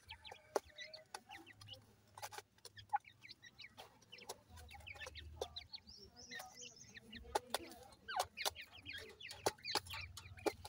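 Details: Grey francolin chicks kept for sale in Multan, a crowd of them giving thin, high, down-slurred peeps scattered irregularly, with sharp clicks and knocks of handling in between and a faint low hum behind.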